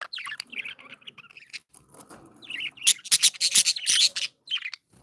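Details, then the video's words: Pet budgerigars chirping happily, a busy stream of scratchy, buzzy warbles and sharp high chirps, growing louder and denser in the second half. "Birds sound | Cats tv | Live budgies"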